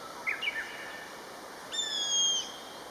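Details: Common buzzard pair calling back and forth: two or three soft short notes first, then a drawn-out high mewing whistle, level and then falling slightly, lasting about two-thirds of a second.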